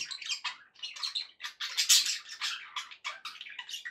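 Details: Pet budgerigars chattering to keep other parakeets company; rapid buzzy warbles and squawky chirps in quick succession, strongest burst midway.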